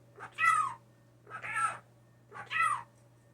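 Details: Indoor blue jay raised by hand after a fall from its nest, a mimic of words and sneezing, utters three loud, nasal, harsh calls spaced roughly a second apart against a faint constant hum.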